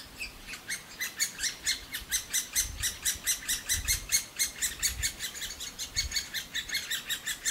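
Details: Nestling great spotted woodpeckers calling loudly and constantly for food inside a nest hole in a big old aspen, fed tirelessly by the adult pair. Steady, high, squeaky chirps repeat rapidly with a soft low rumble beneath.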